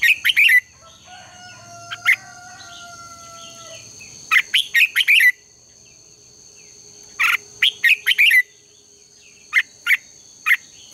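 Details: Red-whiskered bulbul contest song used for morning training: groups of sharp, quickly repeated chirps, an early faint thin whistle from another source, and a constant high tone.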